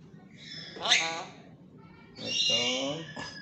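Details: A tame pet black-capped lory that talks gives two harsh, buzzy, speech-like utterances, each about a second long and spaced well apart, over a faint background hum.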